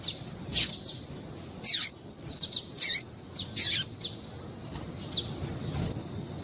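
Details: Female double-collared seedeater calling to stimulate the male: a string of short, high, sharp chirps, some rising, irregularly spaced over several seconds against a quiet low hum.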